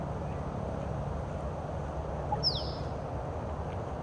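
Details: Late-afternoon courtship display by a male Musk Duck toward a female on Lake Monger near Perth, Western Australia; one thin, high whistle dropping quickly in pitch, rising over a broad, low background murmur.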